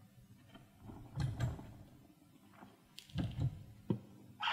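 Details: Muffled knocks and thumps inside a small room with faint distant chatter, with no clear animal voice.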